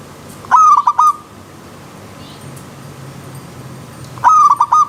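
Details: Zebra dove singing in the wild beside a river stream: two identical short phrases of rolling, stuttered coos about three and a half seconds apart, with quiet gaps between.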